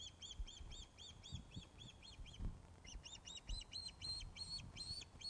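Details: At the Loch of the Lowes osprey nest, afternoon of 21 August 2012, a fish arrives: a continuous run of shrill, arched whistled cheeps, about four per second, with a short pause midway and faint thumps below, recorded by nest webcam.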